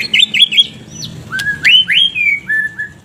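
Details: White-rumped shama giving clear looping whistles followed by loud upslurred and downslurred whistled notes, each sharply separated, with a faint low room hum underneath.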